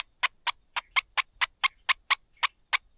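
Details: Streaked spiderhunter chicks being fed by their patient mother, the chicks hard to feed; harsh, broadband chips repeated about four times a second, eleven sharp bursts in quick succession with a quiet background.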